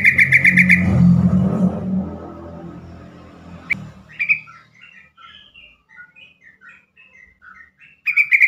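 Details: Yellow-vented bulbul giving its chattering call, meant to trigger replies from other bulbuls and get stressed birds calling: a rapid buzzy burst over low rumble, a sharp click, then scattered short chirps and a final rattle.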